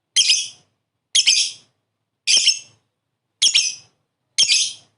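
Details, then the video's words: Lovebird giving its ngekek chatter, played as a lure to get other lovebirds to call. Five harsh, high, buzzy bursts, each about half a second long, come roughly once a second with clean silence between them. "LOVE BIRD NGEKEK"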